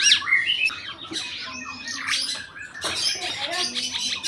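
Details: A tame caged Red-eyed bulbul singing a varied song with many borrowed phrases: loud whistled notes, quick rising and falling slurs and scratchy chatter, with a man speaking briefly nearby.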